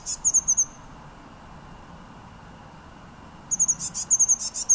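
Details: In January 2013 at Münchenstein, Switzerland, a blue tit sings bright, very high-pitched repeated notes. A short phrase is followed by nearly three seconds of quiet before another quick run of piercing notes.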